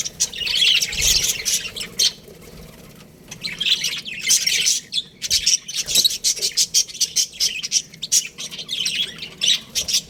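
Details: Aviary budgies, young birds, chirping and squawking in bursts, a quieter lull midway, then rapid clipped chirps repeating quickly toward the end.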